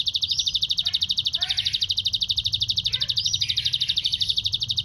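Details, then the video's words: Canary with a grasshopper-imitation song fill (isian belalang sambung cililin), giving an unbroken high, fast, insect-like buzzing trill of regular pulses, broken by a few short descending chirps and one rising whistle. "kenari isian belalang sambung cililin"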